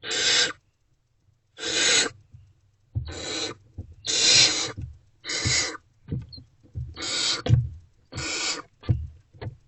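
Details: Barn owls in a nest box in the early morning darkness of 28 February 2024, food deliveries under way: repeated rasping screech-hisses, irregularly spaced, interspersed with thuds and scraping of birds moving about.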